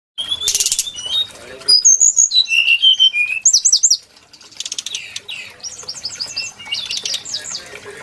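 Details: Brown-chested jungle flycatcher song, said to closely resemble the Tledekan gunung: a rapid, varied run of high whistled and slurred notes, some in quick repeated triplets, then softer, lower-level chattering twitters in the second half.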